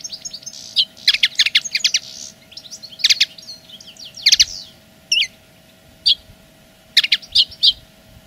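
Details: Linnet song as a territorial claim, here in separated bursts of sharp clustered chirps and brief twitters spaced about a second apart, against a soft hiss and low hum.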